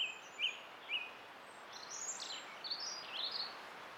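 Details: Song thrush singing on 20 April 2016: a few short, sharp high notes, then a run of varied, quick whistled phrases sliding up and down, thin and somewhat distant over a steady background hiss.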